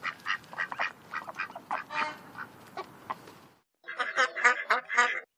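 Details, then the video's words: Ducks quacking on a pond in quick, rough, nasal bursts over a hissy background, then a short silence and a louder, clearer run of rapid quacks. "Duck Sound duckling in the pond -duck quack"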